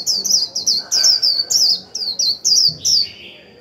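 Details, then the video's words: Japanese white-eye delivering a moderate 'líu' twitter meant to excite other white-eyes into singing: a steady series of sharp, high descending chirps about three per second, ending with a softer lower slurred note. "Khuyên mồi líu vừa phải kích bổi líu ngay!"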